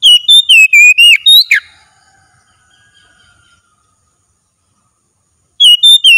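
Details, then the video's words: Oriental magpie-robin in full daily-training song: a fast string of bright whistled phrases ending in a steep downward sweep, a long pause of near silence, then the loud whistling resumes briefly. "TERAPI HARIAN KACER LANGSUNG GACOR"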